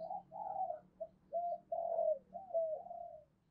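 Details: Decoy spotted dove cooing to attract wild doves, a run of moderately soft, mellow hooting coos, some slurred downward, over a low steady background hum.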